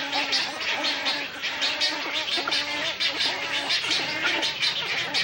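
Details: Wood storks (Mycteria americana) at a nesting colony give harsh, nasal, gargling calls in a dense, overlapping chorus, with rough honking notes repeating irregularly beneath a steady hiss.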